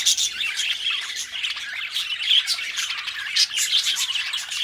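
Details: A pair of pet budgies keeps up a busy, unbroken stream of buzzy chatter and quick clicking notes, punctuated by sharp squawks.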